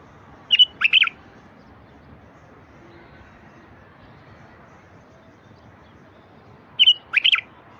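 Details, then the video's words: Bulbul song meant to coax silent wild bulbuls into singing. A quick burst of three bright, slurred notes opens the clip and a matching phrase returns about six seconds later. Faint background hiss throughout. "تغريد لفتح البلابل الوحشية الساكتة"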